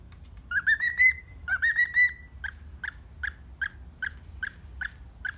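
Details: Happy pet cockatiel in the morning: two rising warbled whistles, followed by a run of about nine short, evenly spaced chirps roughly every half second, with soft room hum.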